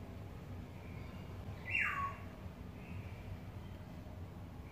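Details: One descending, slightly harsh whistle from a courting yellowbird, falling sharply in pitch, with faint background hum.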